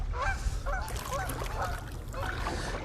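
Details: Canada geese in the Macatawa Marsh in spring, heard from a kayak, give a rapid series of nasal, braying honks, several overlapping in under three seconds, over a steady low rumble of wind and water.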